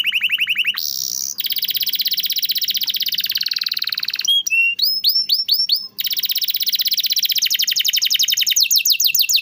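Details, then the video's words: Canary song used to stimulate canaries that rarely sing: a quick trill, a long dense buzzy roll, a series of clipped swooping whistles, then another long rapid trill that speeds upward. "masteran burung kenari rajin bunyi cocok buat pancingan kenari susah bunyi/macet"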